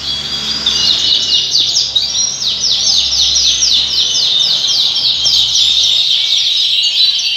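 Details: Yorkshire canary singing in a breeding house: a high, fast series of rapid, downward-sweeping notes, repeated several times a second in a steady rolling trill, over a constant background chorus of other birds.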